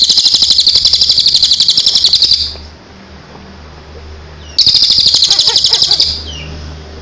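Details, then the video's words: Training song for birds moulting or just past moult: two long stretches of fast, high, buzzy pulsed trilling at roughly four pulses a second, split by a quieter pause with faint chirps. "masteran Burung istimewa.Cocok untuk Burung Mabung.&Pasca Mabung"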